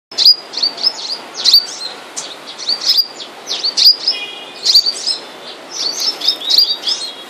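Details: A captive flowerpecker in moult gives thin, very high chirps and short tsip notes, several a second in loose bursts, with faint chirps from another bird behind.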